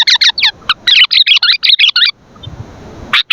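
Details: Sooty-headed bulbul singing energetically, used for luring and training birds: a fast run of bright, chattering chirps for about two seconds, then a pause with faint low rumble and one final sharp note.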